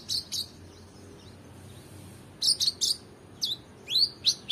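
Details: Oriental magpie-robin song used as a tutor recording for competition birds: high, sharp, whistled notes in short bursts, some sweeping upward, separated by a pause of nearly two seconds, over faint background noise.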